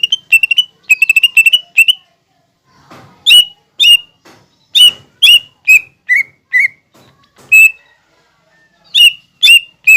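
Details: Training song of a lesser green leafbird mixing imitations of fighting sparrows, lovebird and hummingbird: fast chirp clusters give way to spaced single sharp notes, some dropping slightly in pitch, with brief pauses between.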